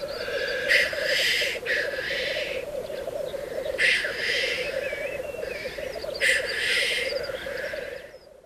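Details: Black grouse at a lek during courtship and mating, in the dark before sunrise, give a steady, low, bubbling coo, broken every few seconds by harsh hissing sneezes; a faint warbled whistle from another bird.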